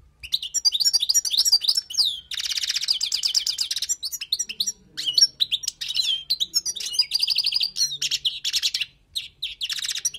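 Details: European goldfinch from the wild, singing a tutoring song: long run of quick tinkling twitters broken by dense buzzy rattles and slurred whistles, continuous for ten seconds.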